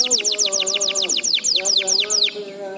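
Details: Canary tutor song used to train young canaries to sing diligently: a rapid series of high, downward-slurred whistled notes, about five per second, over a sustained lower harmonic tone.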